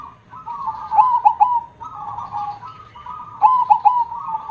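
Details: Loud-voiced perkutut, or zebra dove, kept as a songbird and cooing repeatedly: each phrase opens with rolling trills and breaks into three quick emphatic notes, with three phrases heard in succession.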